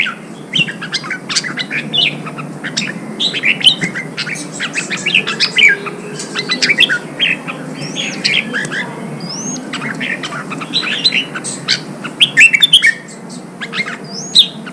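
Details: Red-whiskered bulbuls singing, recorded in Vietnam to rouse wild-caught birds for fighting: a long, busy stream of short chirps and whistles from several voices, with occasional clear rising whistles, against steady low background hiss.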